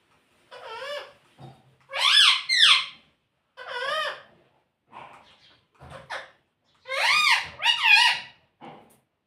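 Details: Pet talking parrot that says "Mitthu" and "Mummy": repeated paired bursts of loud, strained harmonic calls, each curving up then down, separated by short pauses and softer clicks.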